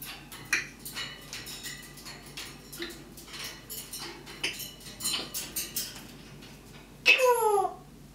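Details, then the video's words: Pet parrot indoors imitating firework noise: a sharp falling whistle sweeping down like a rocket near the end, after many soft clicks and taps, with low household hum throughout. "Parrot making Firework noise"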